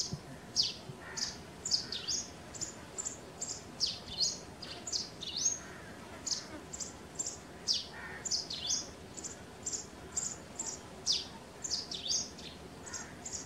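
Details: Natural sparrow chirping, with quick high chirps tumbling in a dense, irregular run, sometimes doubled, over a steady hiss of environmental noise.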